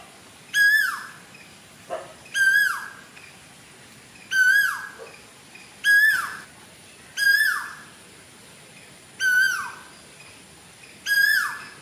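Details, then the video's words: Cuckoo in Sri Lanka, June 2024, repeating a strong, rich whistled note with a falling tail roughly every two seconds, seven times in a row, with a faint short call from another bird in between. "Cuckoo singing"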